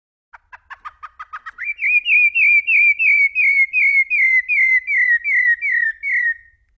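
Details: Fluted Brumado-style song of a rufous-bellied thrush, opening with a brisk string of short clipped notes, then settling into a long row of evenly spaced, down-slurred pure whistles, clean and free of background noise.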